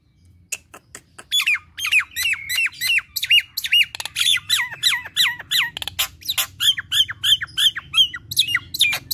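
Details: Nias hill myna opening with scattered clicks, then launching into a long, fast stream of falling whistled notes and squawks delivered about three per second in gacor kemrewek fashion.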